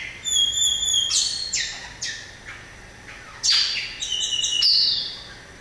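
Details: Variable oriole with a high, steady whistle followed by quick scratchy notes that step downward, then more buzzy bursts and thin whistled tones.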